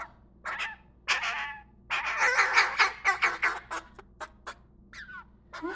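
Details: Young nestling corvid, still featherless underneath, being hand-fed apples and corn indoors; owner unsure if crow or raven: harsh, raspy, gurgling begging calls in quick uneven bursts with a few shorter squawks.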